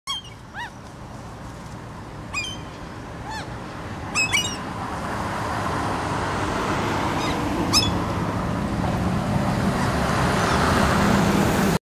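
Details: Two Common Gulls (Larus canus) foraging on a street in Helsinki, Finland, in June 2013, give short, high, nasal mewing calls in scattered bursts a few seconds apart, over steadily rising traffic rumble.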